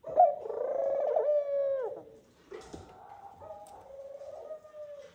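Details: Male Eurasian collared dove at the nest during courtship, calling the female to join him; a long, moaning, drawn-out coo with rich harmonics fades out, followed by a quieter second sustained note and a brief click.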